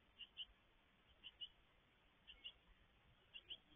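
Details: At a garden nest box during feeding, 17 May 2022, a great tit gives soft, high paired chirps, each pair arriving about once a second at an even pace against quiet hiss.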